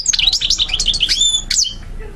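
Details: Goldfinch song used for tutoring birds: a quick burst of high, tinkling chirps and thin whistled slides. It ends with a clear drawn-out whistle, one sharp note, then fades into quiet.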